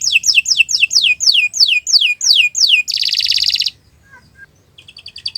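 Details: Canary song recorded for training, a series of bright downward-sliding whistles followed by a dense buzzing roll, then a near-silent gap with a few soft high chips at the end.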